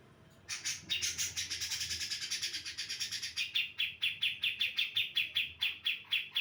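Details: Female brown-cheeked bulbul of Java, singing to lure answering males: a dense burst of rapid overlapping notes settles into a rhythmic run of crisp, evenly spaced chirps at about three per second.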